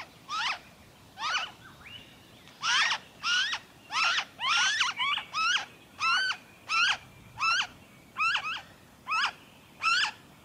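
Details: Noisy friarbird recorded in Victoria, Australia, in February 2023, giving a harsh, raucous run of clipped notes, each a quick down-slurred stroke, repeated roughly every half-second over a faint background hiss.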